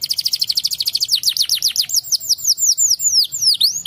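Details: Canary singing to draw replies from other canaries: a quick pulsing trill, then a run of sweeping slurred whistles repeated several per second, loud and continuous.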